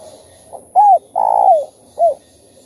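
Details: Spotted dove cooing to stir up other doves: a faint lead-in note, a strong arched coo, a long purring coo that slides down, and a short rounded final coo.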